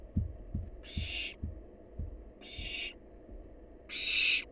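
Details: Wild barn owl nestling on leftovers: a quick series of soft low thumps, about two per second, runs under three rasping hissing screeches, the last one loudest.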